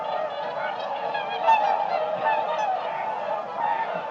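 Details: A flock of whooper swans (Cygnus cygnus) gives a steady chorus of overlapping, trumpeting honks, mid-pitched and nasal, with no pause in the calling.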